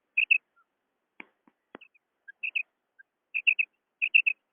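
A female quail gives short, high, rapid two- and three-note whistled chirps in bursts about every second, with a few faint clicks between.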